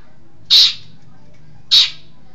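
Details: Long-tailed shrike from East Java gives two loud, harsh, broad-band squawks roughly a second apart, each brief and rasping, with quiet in between.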